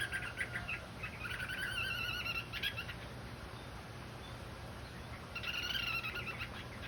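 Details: Orange-headed thrush therapy singing, two bursts of rapid whistled and chattering phrases separated by a quieter gap, set against steady hiss and a low background hum.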